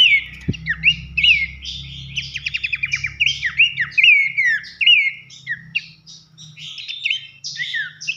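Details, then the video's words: Masteran song of a bush babbler, pelanduk semak, for training competition birds: loud looping whistles, a rapid buzzy trill early on, then spaced down-slurred and rising notes; a single click near the start and low hum underneath. "masteran nembak nyiul keras khas pelanduk semak"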